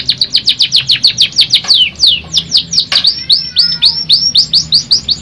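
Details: Canary singing in the pancingan style, a lure recording meant to turn a stressed, silent canary into a constant singer: a fast series of high down-slurred notes, about seven per second, breaking into a long whistle and a quicker trill near the end.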